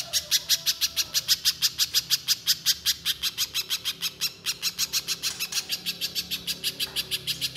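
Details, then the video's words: Little spiderhunter singing energetically: a long run of sharp, high chipping notes, about three per second, evenly paced with one brief pause midway, over a low background hum. "Pijantung Pisang Gacor Mbeset Nembak Nembak"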